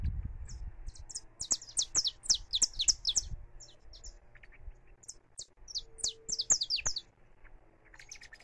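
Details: Saffron finch singing free, recorded live: low rumbling noise at the start, then a quick run of bright, high descending chirps, a short pause, and a second burst of similar chirps.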